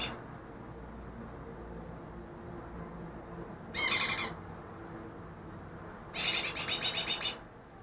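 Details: Caught two days earlier, a greater green leafbird said to copy ten species: a short harsh chattering burst, a pause, then a longer run of rapid high scratchy notes, about ten in a row.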